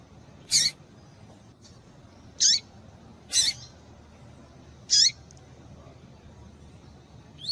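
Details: Female double-collared seedeater calls played to excite a male of the tui-tui style: four sharp, descending chirps at uneven intervals of one to two seconds over faint background hiss.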